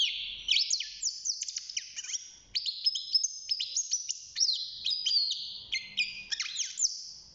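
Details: Caged young European goldfinch at six months, early in its singing: quick, liquid twittering with downward-sweeping chirps and buzzy notes, delivered in two lively bursts separated by a short gap.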